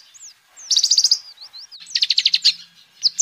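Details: A lively sunbird sings, recorded as lure and tutor material for cage birds. Thin upslurred whistles lead into quick high trills of repeated notes. A second dense trill and a few sharp high chips follow.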